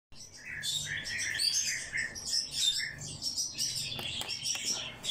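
A hand-fed bird chick gives a steady stream of high, shrill, overlapping chirps and squeaks, rapid and insistent throughout, with only faint background noise.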